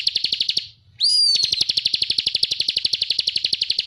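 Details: Bar-winged prinia masteran song in energetic 'ngebren' fashion: a rattling trill breaks off, then after a brief silence a clear rising whistle launches a new sustained, high, rapid series of buzzy repeated notes.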